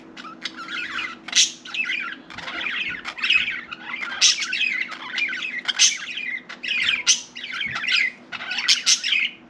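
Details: Pet budgerigar trying to talk, giving a dense, nonstop warbling chatter of squeaky, buzzy notes and sharp squawks that rise and fall rapidly, over a faint low electrical hum.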